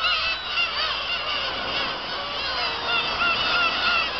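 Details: Dense chorus of many Black-tailed gulls at Kabushima on 2 August 2012, early morning after fireworks: overlapping nasal, mewing, cat-like cries rising and falling, several times a second with no pause.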